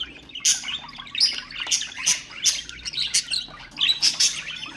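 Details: Chattering budgerigars, a sound to stimulate other birds: busy twittering with bright clicks and short squeaky bursts about twice a second.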